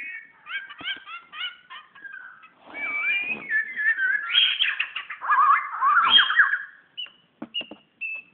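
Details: Magpie-robin singing toward a mirror in Brunei, recorded 2013: quick repeated chirps give way to loud, fluid whistles that swoop and trill, a long rich warbled passage, then a few scattered high notes.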